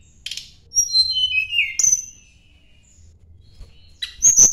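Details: Sunda blue robin, singing to seek a rival: high thin whistles sliding downward with a few clicks, a quiet gap, then a fresh burst of sharp notes rising at the end.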